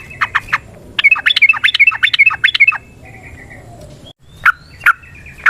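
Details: Yellow-vented bulbul giving a long, lively 'ropel' song in wild forest style, used to lure and stir other bulbuls: a fast run of bubbling, slurred notes, then a pause and three spaced sharp notes.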